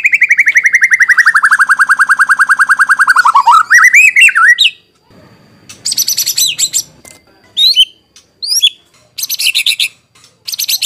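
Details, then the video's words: White-rumped shama singing on a lure recording used to make other shamas reply and for training: a long, low buzzing trill sinking gradually, a rising whistled flourish, then bursts of harsh high chattering notes with silent gaps. "Pancingan NGERI Murai Batu Langsung Nyaut Cocok Buat Masteran"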